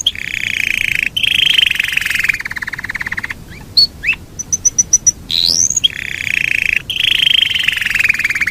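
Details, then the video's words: Yorkshire canary delivering its long rolling song: extended rolled trills broken by a short pause, a passage of whistles and bright repeated pips, then the low rolls return and continue. "SUARA BURUNG KENARI YOKSHIRE NGEROL PANJANG"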